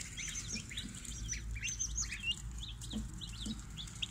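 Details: Young chicks crowded in a brooder, two batches: many shrill peeps sliding downward, tumbling over one another, with a few lower soft clucks and a constant low background hum.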